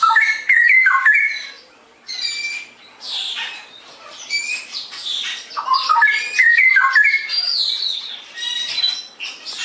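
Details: Straw-headed bulbul in energetic 'gacor' song, 'ngerople' style: rich fluty warbles rising and dipping, repeated in bursts, separated by brief pauses and overlaid with busy, high-pitched chirping and twittering.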